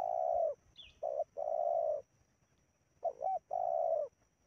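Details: Spotted dove cooing during decoy luring of wild doves in Indonesia: low mellow coo phrases, each a short note followed by a long sustained coo, repeated with pauses; a faint high chirp is heard briefly.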